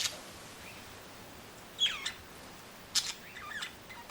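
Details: Two budgerigars chirping outside give a few short, scratchy chirps and warbled notes over a steady hiss of strong wind in the trees.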